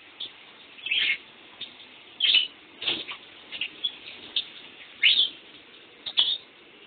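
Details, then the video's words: Pet lovebird trying to sleep while someone takes a shower. Sharp, high chirps come in irregular bursts every second or so over a steady hiss of running water. "Love bird"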